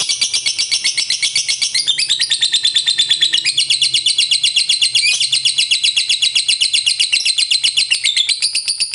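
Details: Lovebird in extended ngekek chatter meant to spur other lovebirds into song; a dense, high-pitched, grating trill of very rapid notes continues nonstop for nine seconds, shifting pitch slightly every few seconds.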